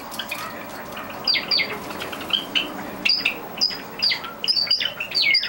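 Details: Java sparrows in the early morning, seven pet birds released from their cage in June 2009, with bright clipped chirps and squeaks mixed with fluttering wingbeats and soft rustling, calls growing busier toward the end.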